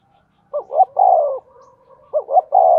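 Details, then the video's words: Decoy spotted dove driven to call rapidly to provoke wild doves: two phrases, each a quick paired note followed by a sustained soft coo sliding downward. "Chim Cu Mồi thúc tốc độ có kèm nghe cực hay, bổi nghe phát gáy luân"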